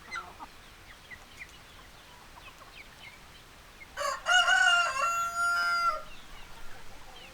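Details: A rooster gives one loud, drawn-out crow of about two seconds, rich and harmonic, preceded by faint scattered clucks from hens in the background.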